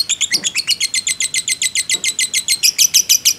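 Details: Competition-type lovebird giving its long ngekek, recorded as a lure to excite other birds: a fast, even string of harsh, high chirps, roughly three each second, with a couple of soft lower knocks.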